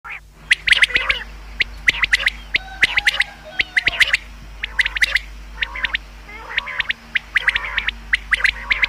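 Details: Common quail (bater) calls, used as a hunting lure: dense overlapping bursts of short, sharp clicking notes repeated rapidly throughout, with several birds apparently calling at once.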